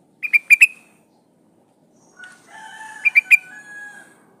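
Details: Female sooty-headed bulbul in breeding condition calling to a male: a quick run of three bubbly notes, then a second triplet overlapping lower, drawn-out tones from another bird.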